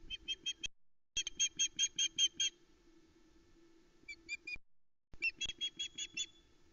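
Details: Osprey at her Loch Arkaig nest-cam site on 12 July 2020, alarm calling at an intruder near the nest. She gives quick series of high, clipped whistles, about five to seven notes per run, with brief pauses between runs.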